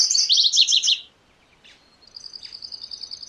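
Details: A MacGillivray's warbler (Geothlypis tolmiei) sings a quick, buzzy run of high notes lasting about a second, then after a pause a thin, high, rapidly trilled series of notes.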